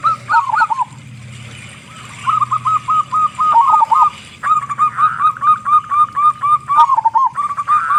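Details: Local zebra dove with a big voice, singing often, used as a lure to prompt other doves to sing quickly; rapid bubbling coos repeated about four times a second in bursts, with a trilling, wavering phrase between them.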